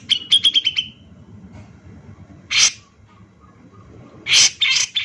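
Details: Grey-cheeked bulbul (cucak jenggot) male, lure song: a quick trill of six sharp descending notes, then a pause and isolated harsh rasping bursts against faint background rumble.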